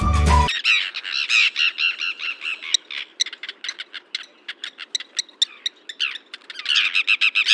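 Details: Common tern (Sterna hirundo) at a Sri Lankan coastal site near Kirinda Beach, Yala, giving harsh, grating calls and sharp clipped notes, several a second, high-pitched and uneven, after a brief burst of music.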